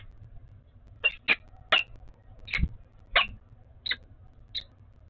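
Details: Peregrine falcon at its nest in Oudenaarde on 11 February 2021, during pair bonding. Seven short, harsh, hoarse notes come about half a second apart, separated by quiet gaps, with a low background hum.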